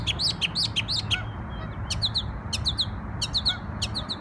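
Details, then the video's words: Bird singing in New York on Memorial Day: clear, rich, slurred whistled notes in quick runs of three or four, pausing between bursts, over faint background rumble. "Bird Sings Beautiful Songs"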